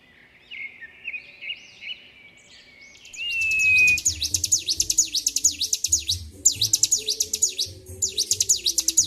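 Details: Bar-winged prinia, highly agitated, recorded 26 February 2023, singing nonstop. After about three seconds of scattered chirps and a flat sustained whistle, a fast run of high, sharp, V-shaped notes repeats roughly twice per second.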